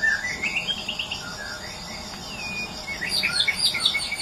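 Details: White-rumped shama from Medan, a caged songbird, giving varied whistled and chattering phrases, with rising notes early and a burst of high twittering near the end over steady insect-like background hiss.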